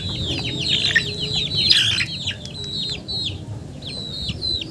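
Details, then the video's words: Shrill downward-slurred peeps from several chickens, fast and overlapping at first, then thinning to spaced single whistles; a brief rustling burst midway. "Funny Chicken Sounds"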